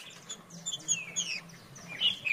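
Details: Farrapo-style song of a green-winged saltator, called trinca-ferro: rapid mix of high whistled slurs and chirps, several phrases falling in pitch, finishing with loud bright notes; soft low hum throughout.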